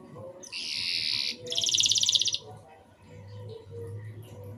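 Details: A canary's short song burst, used to coax young canaries into singing: a loud buzzy high phrase, then a rapid pulsed trill, fading into soft background noise.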